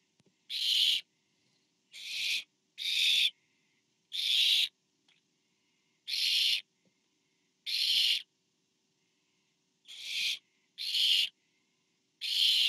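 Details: At a barn owl nest on 24 September 2015, as a parent brings food to the fourth owlet, a steady series of nine harsh hissing screeches, each about half a second, repeated about every 1.3 seconds, with faint soft clicks between.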